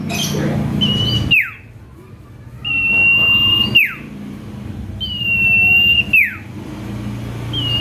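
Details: Common iora lure song for provoking rival birds: clear sustained whistles, each finished with a falling slur, repeated every two to three seconds, over a low rumbling background noise at the start.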